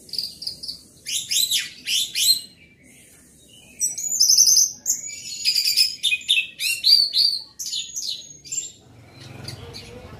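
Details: Orange-headed thrush singing loudly in a lively, full-volume burst: varied whistled phrases, rapid trills and buzzy rattles around high pitch, delivered in quick bouts with brief pauses, ending with faint low rumbling noise.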